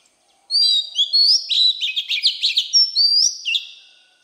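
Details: Forest-voiced Oriental magpie-robin, sung to stimulate fresh birds: level and rising whistles followed by a brisk rattle of around a dozen sharp chirps, then two more long clear whistles and a final note.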